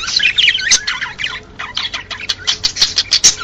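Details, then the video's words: Courtship warble of male budgerigars, described as stimulating males and females to breed; jumbled twittering and squeaks, then a run of short clipped chirps. "صوت الذكور البادجي يهيج الذكور والاناث على التزاوج| Perruche Chant D’amour"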